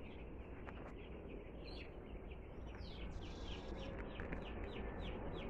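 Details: Two-day-old chickens just arrived at a home, giving rapid high peeps, many downward-sliding chirps overlapping, with a steady low rumble of background noise throughout.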